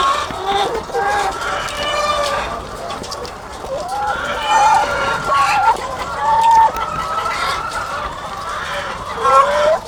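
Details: Thousands of egg-laying hens on a farm, heard as a dense chorus of overlapping nasal, harmonic calls. Some calls slide upward and others run level, over a constant bed of murmuring.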